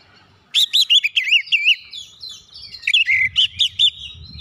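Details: Oriental magpie-robin song, used to provoke other birds into singing: two bursts of rapid, rich whistled notes that swoop up and down, each with a sharp overtone. A short pause separates the bursts, over a faint low rumble.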